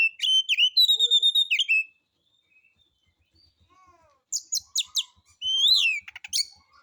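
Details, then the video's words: White-rumped shama (kacer) performing harsh-material lure song aimed at rousing other birds; a rapid series of pure repeated whistles, a pause with soft notes, then sharp clicks and a swelling rising whistle. "Pancingan Suara Kacer Santai; NGEPONG NGEPLAY SENDIRI MATERI KASARAN"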